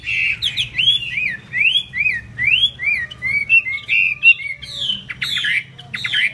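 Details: Chinese hwamei, 'hót xòe' song style with wings spread eagle-fashion; a sequence of clear, arching whistles, each slurred up then down, repeated in a quick rhythmic chain.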